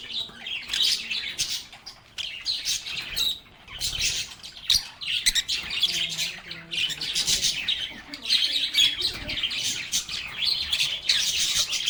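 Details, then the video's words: Unbroken lovebird chorus of shrill chirps and raspy squawks, many birds calling over one another with short lulls between noisy waves. "Lovebirds agapornis sounds | Relaxing Sounds of Singing, Playing, and Talking Parakeets"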